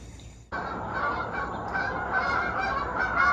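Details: A flock of geese flying out of the rising sun and circling back over a lake in South Georgia at sunrise; a sudden, steady wash of overlapping honks starts after a half-second lull and carries on unbroken, swelling slightly toward the end.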